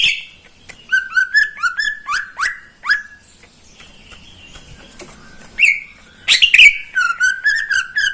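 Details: Greater green leafbird in a cage, morning song from a bird said to sing nonstop each day; rapid series of rising whistled slurs with trilled upper notes, a pause, then a louder varied run of chattering phrases.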